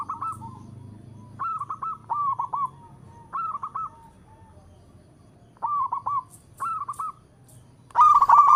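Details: A local zebra dove sings in all directions, giving short rippling trilled coo phrases every second or so, with gaps, and a loud closing burst and faint low hum beneath.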